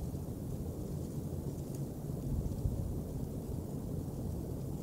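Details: Deep wind rumble buffets the microphone at an eagle nest on 3 March 2019, continuous low roaring with no calls.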